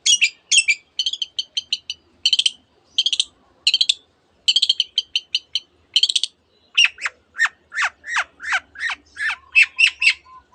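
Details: Long-tailed shrike, a cendet, singing a dense mimicry song filled with canary and many other birds' phrases: rapid bursts of high chirps and trills, then a run of sharp downward-sweeping notes repeated about twice a second.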